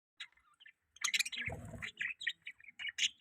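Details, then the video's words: Pet budgerigar chirping in short, bright, scratchy notes, with a brief low rumbling thump in the middle of the sequence. "budgie chirping sound|budgie chirping voice"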